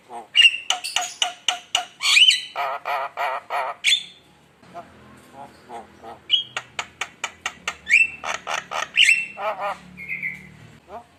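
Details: Lure song of a very vocal Javan myna for provoking rivals: quick harsh chattering with whistled accents, a quieter gap, then sharp ticks, rising whistles and a buzzy sustained note.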